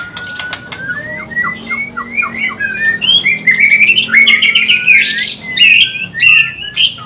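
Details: White-rumped shama mating song, used to bring a bird into breeding condition: sharp clicks and a long whistle, then a descending series of short notes building into loud, fast, varied whistled phrases.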